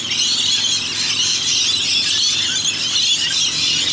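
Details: Rainbow lorikeets in Australia, about a hundred coming and going to bathe in a rain gutter. A dense, continuous racket of shrill, overlapping high screeches, with a faint low hum underneath.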